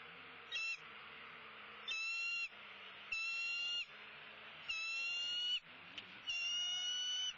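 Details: Bald eagles feeding at a Southwest Florida nest at sunrise, dated 2-6-16. Five piercing, clear whistled notes, each roughly half a second and steady in pitch, spaced about every one to one and a half seconds, with a low background hum.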